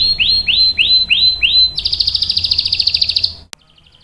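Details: Female canary in breeding condition calling a male, singing six rising arched whistles, then a fast bright rolling trill that fades, ended by a sharp click.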